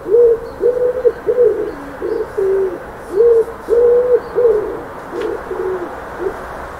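A dove gives low, soft hooting coos, about a dozen short notes in uneven groups over several seconds, against a faint background hiss.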